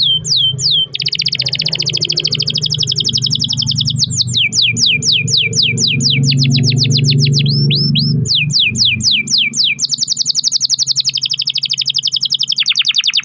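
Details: Pet canary in full, continuous song meant to coax other canaries into singing: long rolling trills and fast repeated downward-slurred notes shifting between tours, over a steady low rumble of background noise.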